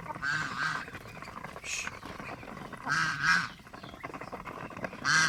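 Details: Pet domestic geese give loud, nasal double honks in paired bursts roughly every one to two seconds, with a steady low murmur behind them.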